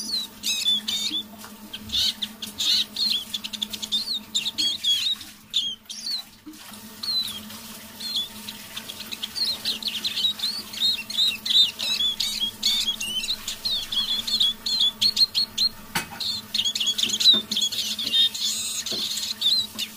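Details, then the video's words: Eurasian siskin kept as a decoy bird, quietly singing in the evening, a long run of rapid twittering and wheezy trills with brief gaps and a faint click, over a steady low hum. "Песня моего манного чижа"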